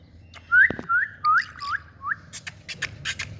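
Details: A pet Indian rose-ringed parakeet, a talking parrot, gives five clear, upslurred whistles about 0.4 seconds apart, followed by a few sharp, scratchy bursts.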